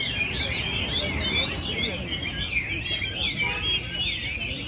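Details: Caged Chinese hwamei, entry number 37, first-prize winner at a hwamei singing contest at Mỹ Đình, Vietnam, on 19 July 2020: loud, looping whistled phrases that rise and fall in quick waves, with other birds and a commentator's voice underneath.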